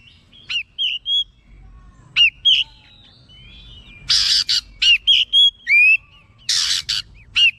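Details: Excited oriental magpie-robin (kacer) responding and singing continuously, unloading its stock of learned phrases; short whistled notes alternate with harsh, scratchy buzzing bursts in an irregular, rapid sequence.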